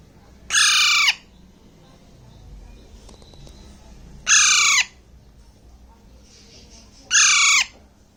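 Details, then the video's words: Hand-fed Alexandrine parakeet chick, around six weeks old, eating grapes in Bangladesh: three raucous, harsh squawks about three seconds apart, each lasting roughly half a second, with faint quiet rustling between. "Alexander parrot sound|| alexander parrot eating fruits"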